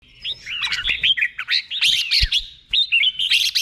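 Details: Red-whiskered bulbul singing in the doubled 'beun' style, slow and clear, meant for training caged birds to copy: bright warbled and whistled phrases with rising and falling slurs, delivered in quick bursts with short gaps.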